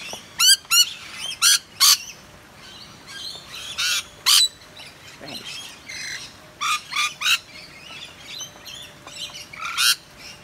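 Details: Soaked wild Rainbow Lorikeets being urged back up into a tree on a rainy day in eastern Australia: repeated short, piercing screeches in uneven bursts, roughly one or two per second, with quieter twittering between.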